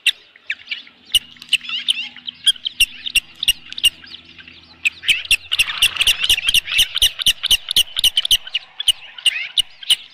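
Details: Osprey at the nest with a large headless fish, evening of 15 July 2018 around 7:55 PM: rapid, high, squeaky whistled chirps, about four a second and uneven, with sharp clicking ticks among them.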